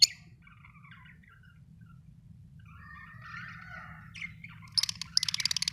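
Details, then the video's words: Lovebirds give soft twittering and warbled notes, then burst into loud, shrill, rapidly repeated chirps near the end, over a faint low hum. "Love birds chirping sound"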